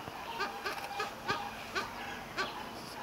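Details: Captive kelp geese at a farm in Germany give short, nasal, honking calls, about six in three seconds at an uneven pace, over a soft background murmur.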